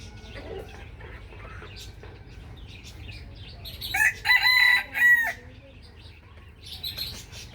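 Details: Rooster crowing in the morning: a loud, harsh, harmonic cock-a-doodle-doo in three strong bursts mid-clip, with small birds chirping quietly before and after.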